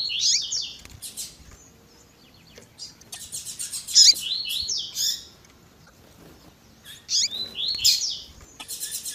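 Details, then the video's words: Double-collared seedeater with a female calling, in the tui tui zel zel style, edited to heat up males. Three separate bursts of high, jumbled buzzy notes and slurs come with short pauses between them. "COLEIRO TUI TUI ZEL ZEL COM PIADO E CHAMANDO DE FÊMEA MUITO QUENTE CHAMANDO E MACHEANDO MUITO."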